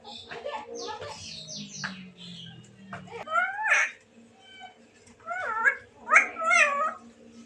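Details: Black-naped oriole singing in lively form: low murmuring voices at first, then two bursts of rich, slurred whistled phrases with rising and falling notes.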